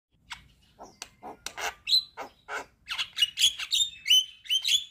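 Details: Javan myna singing actively while nodding its head, a song full of varied fill-in notes: harsh raspy bursts early on, then quick high clear whistles mixed with buzzy chatter, about three notes a second.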